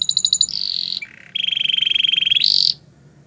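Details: Belgian canary song for training, short and buzzy: a quick pulsed trill, a held high tour, a brief lower buzz, then a long even rattle-like tour ending on a higher note.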